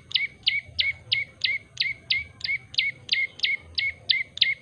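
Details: Yellow-bellied prinia calling actively: an even train of bright, downslurred chirps, roughly three per second, over a quiet low background.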